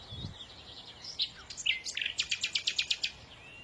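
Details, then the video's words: Small bird twittering, then a fast run of about nine sharp, evenly spaced chirps, each a bright high note repeated several times a second. "إذا كنت تعشق سماع تغريد العصافير"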